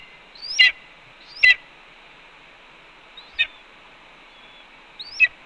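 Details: Red-tailed hawk vocalizing at the nest, 4 May 2013 around 1:30 pm, its mate calmly eating a pigeon nearby. Four separated calls, a short rising whistle snapping into a loud harsh note, spaced about a second or two apart over faint hiss.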